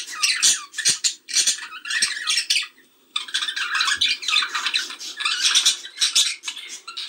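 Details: Budgerigars chatter in dense bursts of scratchy, high warbles and squeaks, several birds overlapping with a brief pause midway; meant to stimulate budgerigars to mate.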